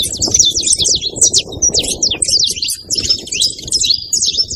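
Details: Saffron finches calling as a flock, a jumble of sharp high chips and buzzy twitters overlapping constantly, with noticeable low background rumble beneath.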